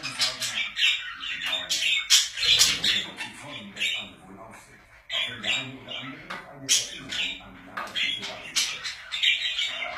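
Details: Several pet budgerigars keep up a long scratchy, high warbling chatter with sharp clicks and chirps, easing briefly around four to five seconds before resuming.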